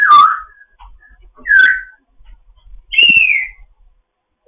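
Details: A foster African grey parrot's morning chat: three loud whistled phrases about a second apart, each sliding down, the last higher and longer, with faint clicks between.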